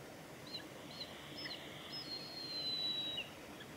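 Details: A young Mountain hawk-eagle, recorded at Isehara, Japan, on 29 November 2020, gives thin, high whistles: three short notes, then a long drawn-out whistle that drops at the end, over steady outdoor rumble.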